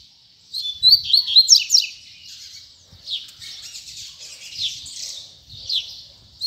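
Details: Coleiro, the Double-collared Seedeater, in the final puxada singing session of 2019, delivering a loud burst of bright, rapid chattering notes followed by softer, buzzy, continuous high warbling.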